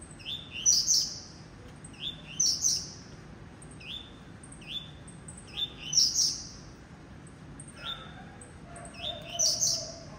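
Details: Blue-black grassquit from a breeding aviary giving its song. A brief high buzzy note sweeps up into a bright rasping burst, repeated about every two seconds. A lower, softer tonal sound enters near the end.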